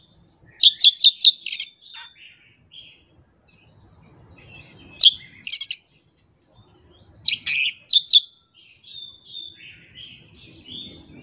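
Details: Oriental magpie-robin, a caged songbird, delivering its full repertoire without a tutor or opponent: rapid bursts of sharp, high chirps and whistles in three loud clusters a few seconds apart, with quieter twitters in between.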